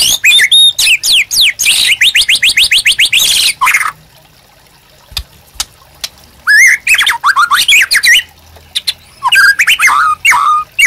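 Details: Captive White-rumped Shama singing energetically, used as master song to teach and stimulate birds: a rapid stream of downslurred whistles, a quiet spell with faint clicks, then varied looping whistled phrases and trills.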